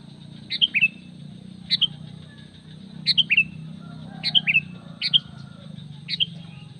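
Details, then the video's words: Sooty-headed bulbul call to draw in other bulbuls, bright two-note whistles dropping in pitch, repeated about six times at irregular spacing above a noticeable low hum. "SUARA PANGGILAN PIKAT KUTILANG MENGGARUDA"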